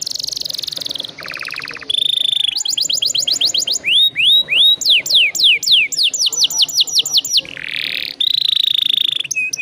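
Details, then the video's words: Canary singing vigorously with long rolls, used as a lure to prompt other canaries to sing: a rapid buzzy trill, a lower rattling trill, then rows of sharp down-slurred whistles and upswept notes, ending in fast buzzy rolls. "PANCINGAN KENARI GACOR NGEROLL PANJANG"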